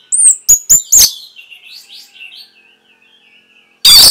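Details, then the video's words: Orange-headed thrush masteran, a training song for caged birds: four loud, clipped high whistles in quick succession trailing into soft twittering warbles, then an abrupt loud, harsh burst at the end. "CUKUP 15 DETIK ANIS MERAH PASTI MENGIKUTI KICAUAN MASTERAN INI"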